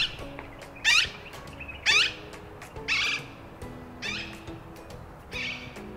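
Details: An Alexandrine Parakeet in India, a bird of wooded areas that lives in large flocks, gives loud, harsh, raspy screeches, about one per second, six in a row, over faint background music.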